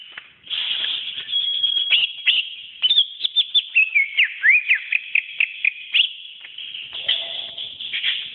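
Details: Greater green leafbird kept as a pet, song for training caged birds: continuous high whistling with fast slurred notes and a series of rising-falling sweeps, dense and energetic throughout.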